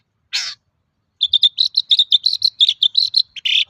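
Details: Long-tailed shrike in energetic song used as a lure to prompt other shrikes to sing: a harsh burst, then a rapid run of short chirps and whistled notes near the same pitch, closing with a buzzy note.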